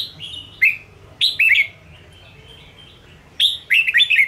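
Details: Red-whiskered bulbul song for stimulating caged birds in training: sharp whistled notes dropping in pitch, then paired slurred phrases, and a closing run of four quick warbled notes after a pause.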